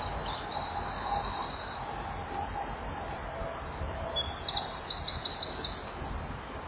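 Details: Chipping female common kingfisher at the nest, recorded by a breeding-wall camera at 09:11 on 9 July 2015 ahead of mating; dense, rapid strings of high piercing chips running almost continuously, with soft background noise.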